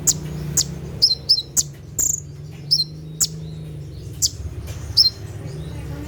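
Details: Brown-throated sunbird 'tembakan' song recorded at night for training caged birds: sparse, sharp, high chips and downward-slurred couplets every half second or so, above a constant low drone.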